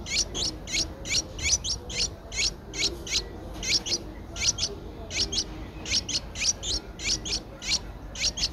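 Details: Streak-eared bulbul nestlings, 10 days old, in Ubon Ratchathani, Thailand, on 12 April 2023, giving rapid high thin chirps in close pairs and clusters, repeated steadily throughout with little pause.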